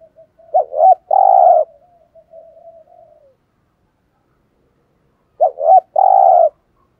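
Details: Decoy spotted dove calling to provoke wild males: two cooing phrases about five seconds apart, each a quick double rising note followed by a long, burry, level coo, with faint trailing murmurs between.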